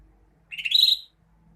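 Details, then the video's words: Greater green leafbird singing: a single brief half-second burst of rich, scratchy warbling notes rising into a sharp high whistle, in an otherwise quiet setting. "Kicauan burung cucak hijau"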